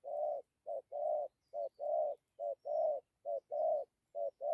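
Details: Rapid run of spotted dove coos in the thổ, dặm and gù styles: quick alternating short and longer mellow notes, closely spaced and fairly regular, with nothing else audible.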